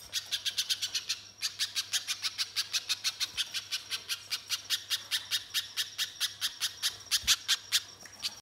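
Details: Banana spiderhunter song played as a lure to prompt singing: long, even train of sharp, high staccato chips, roughly four to five per second, briefly breaking early on, with a thin steady tone running through.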